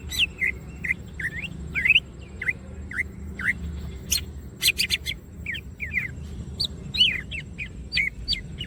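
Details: Greater green leafbird in vigorous gacor song while opening its wings: a series of similar falling and rising slurred whistles, repeated about every half second, broken by a few crisp clicks.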